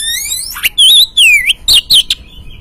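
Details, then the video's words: Lure song of an Oriental magpie-robin, meant to provoke a caged bird into singing: a few clear, loud, wavering whistled notes, some sliding downward, delivered in quick succession. "Pancingan Burung Kacer Bahan"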